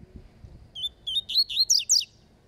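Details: Competing double-collared seedeater delivering its falcone song: a loud phrase of around six clear, upslurred whistles, quickening and getting louder toward the end, over a quiet background.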